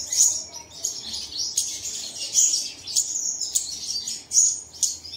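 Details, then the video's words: Dawn playback to encourage caged birds to sing: crisp high chirps sound roughly every half second, linked by fast twittering trills in a steady rhythm. "Bật Tiếng Chim Này Lên Vào Sáng Sớm Chim Của Bạn Sẽ Hót Ngay"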